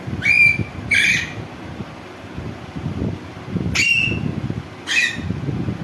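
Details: Rose-ringed parakeet giving four loud, harsh screeches in two pairs, each a shrill note with a flat or slightly falling ring; a steady low rumble, like traffic, runs underneath.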